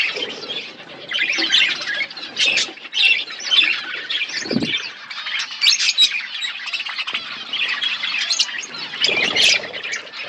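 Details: Many budgerigars in a colony setup chattering and chirping nonstop, high warbles and squawky notes, with occasional short low thumps or wing rustles.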